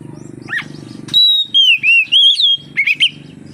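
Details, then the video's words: Oriental magpie-robin song played to encourage other magpie-robins to sing: after a low droning hum, a long steady whistle leads into slurred falling and rising notes, ending with brief twisted whistles. "suara burung kacer untuk penarik / pancingan kacer gacor santai"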